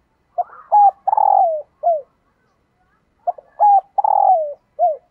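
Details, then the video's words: A female dove calling to stir a male gives a low, hollow cooing phrase of four or five notes, including one long, slurred, falling coo, repeating after about three seconds. "Tiếng Chim Cu Mái Kích Trống"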